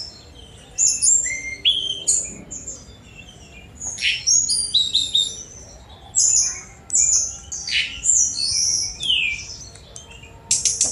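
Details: Sunda robin (tledekan gunung) song of high whistled notes, rising and falling slurs and harsh buzzy bursts delivered in rapid clusters separated by brief quiet gaps.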